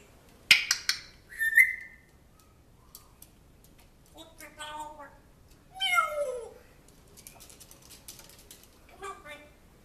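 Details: Indoors, a pet African grey parrot that mimics a man's voice. A series of scattered meow-like and speech-like utterances, some sliding downward, separated by quiet gaps in a small room.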